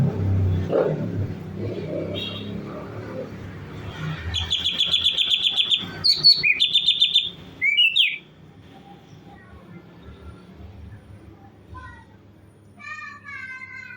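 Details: Bulbul singing actively with a varied, natural song used as a model for training other songbirds: rapid bright whistled phrases and slurred notes burst out midway over a steady low hum, followed by scattered softer whistles.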